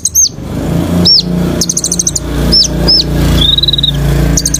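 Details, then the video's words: Energetic song from a kolibri ninja sunbird: repeated high arched whistles dropping in pitch, short stuttering chip runs and one level thin trill, set against noticeable low engine-like rumble. "TERAPI KOLIBRI NINJA GACOR FULL ISIAN TEMBAKAN BIKIN KONIN BAHAN BUNYI"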